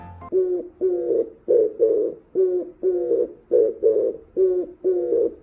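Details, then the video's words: An Oriental turtle dove coos steadily in low, hollow, slightly hoarse notes, about two per second, in a rhythmic phrase; this species' call is the one often heard in mornings spreading from afar, and spring calls are courtship. "이소리 다들 한번쯤은 들어보신 적이 있을 겁니다 이 소리의 정체는 다름아닌 비둘기 울음소리 입니다"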